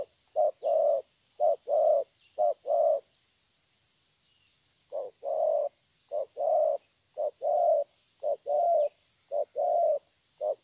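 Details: Young spotted dove, wild-caught, singing thổ style: paired low coos, a short note then a longer one, repeated in two bursts separated by a two-second silence, with faint high bird chirps in the background.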